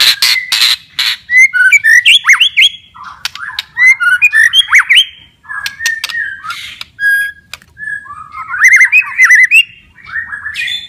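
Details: White-rumped shama in full, loud song, offered to prompt stressed or silent shamas: fast bursts of chattering clicks, sharp upswept notes and short whistled phrases alternating with brief pauses over eleven seconds.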